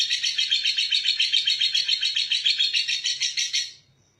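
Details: A lovebird's extended ngekek, used as a lure to provoke other lovebirds to sing. A rapid, high, rattling trill holds steady for nearly four seconds, then stops abruptly into quiet.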